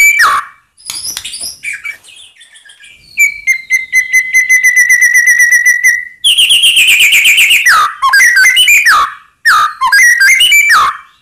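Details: White-rumped shama song aimed at stirring rival birds to respond: varied whistles leading into a long even trill, then loud harsh chattering bursts and sliding whistles.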